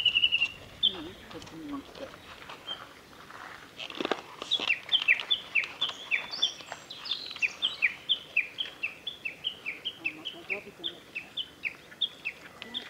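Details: Male black-faced bunting at Kita-Fuji training ground, Japan, on 13 June 2021: bright high twittering phrases of short slurred notes in quick series, over faint background noise.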